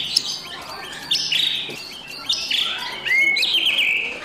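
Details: White-rumped shama, a morning lure recording meant to rouse a lazy bird into singing, with loud, busy rattling 'kretekan' notes: short buzzy, crackling bursts near one, two and three seconds, then a clear rising whistle and a sustained buzzy trill.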